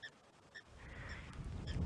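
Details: Blacksmith lapwings, African bush at sunrise on 8 October 2016, alarm-calling from the opposite bank at a wildebeest wallowing in mud: three sharp, spaced metallic tink notes over a steady low rumble of wind or engine.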